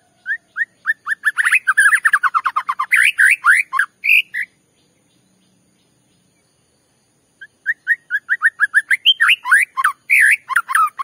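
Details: White-rumped shama song played to make another shama sing: a fast series of rising whistles and dense varied phrases, a silent gap of about three seconds, then a second similar accelerating run.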